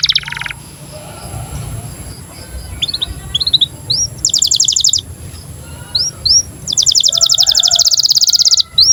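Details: A breeding-condition canary sings bright, high chirps and rising whistled notes, broken by fast buzzy rolled trills lasting a second or more, over a faint steady hum; the song serves as a master song to prompt young canaries to sing and trill.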